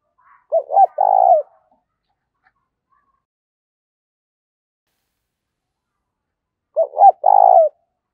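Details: Spotted dove decoy calling to incite fights, thổ voice style. Two identical phrases come about six seconds apart. Each is a pair of short hoots followed by a vibrating drawn-out coo, with near silence between them.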